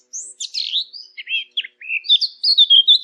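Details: Bird chirping: a squeaky, slurred warble followed by short dropping notes and a run of clear whistled tweets at the end.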